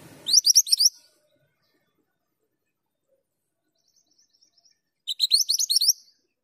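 A male bushchat sings two brief, rapid phrases of high, sweet chirping notes about four seconds apart, with near silence in between.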